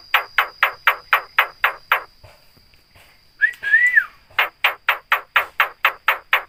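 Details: Javan myna (jalak kebo) copying human sounds: a fast even series of identical short harsh notes about three per second, broken by a loud rising-and-falling whistle, then the rapid series resumes.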